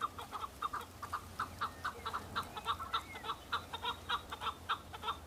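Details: Male Chukar partridges on Bamo mountain in Kurdistan, fighting and displaying for females in breeding season; loud rhythmic chuckling notes about twice a second, overlapping callers, low steady hum beneath.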